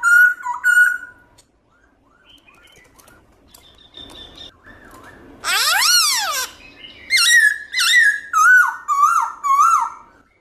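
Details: Black-throated laughingthrush in loud wild-style song with many voices. Opening whistles give way to soft fragments, then a harsh swooping note and a rapid string of bright whistled notes about two per second.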